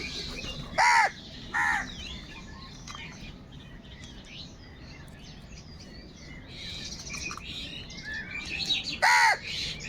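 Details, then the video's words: Crow giving loud, harsh, nasal caws, two in quick succession near the start and another near the end, over a steady background of many small birds chirping and twittering. "Kaka sound and noises of Crow birds | All types of Crow sounds | Very loud voice of Crow sound"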